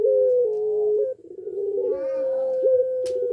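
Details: Puter pelung dove, in breeding condition and kept in a cage, gives drawn-out mellow coos. One long note drops in steps, breaks briefly, then resumes as a level sustained tone. A faint click is heard near the end.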